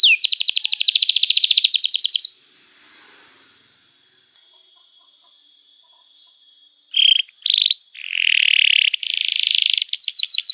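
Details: Canary pouring out a long song as a training lure for young canaries: a fast ringing trill, a steady thin whistle held for seconds, short buzzy bursts, a rasping roll, then quick upswept notes.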